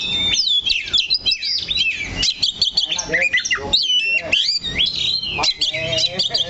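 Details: Oriental magpie-robin, locally called kacer, sitting on one perch and pouring out choppy, varied song: rapid chirps, downslurred whistles and short buzzy notes in quick bursts.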